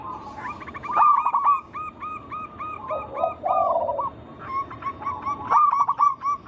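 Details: Zebra dove of a local wild strain, calling to draw other doves into singing: fast repeated staccato coos, about four per second, broken by a lower rolling purr, with overlapping voices.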